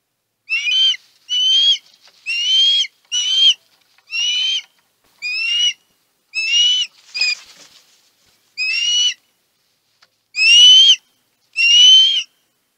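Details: Calls from an osprey at the Chesapeake nest on 23 March, excited over a big food delivery: a steady series of about eleven short, shrill whistled notes, each slightly rising and buzzy, spaced roughly a second apart.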